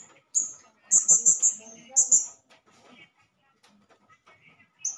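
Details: Male blue-crowned hanging parrot calling as a lure to provoke other hanging parrots: a shrill, very high thin note, then a quick run of four clipped piercing notes and a pair, with faint low chatter and clicks between.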